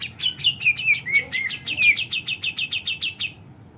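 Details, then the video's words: Energetic song of cucak jenggot, the grey-cheeked bulbul, ranging high and low: a rhythmic chain of rapid chirps, dipping slightly lower in the middle and rising again, about four notes per second, loud and clear. "Cucak jengot gacorrr atas bawah."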